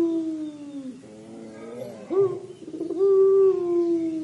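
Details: Crying-style coo of a puter pelung dove: a long, slowly falling moan, a pause, then a short rising note and another sustained, slightly wavering tone.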